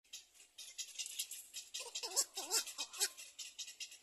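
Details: Little black cormorant at the nest, a mother bird covering her chick; a short run of wavering, squealing calls mid-clip over a steady high-pitched rattling, clicking background.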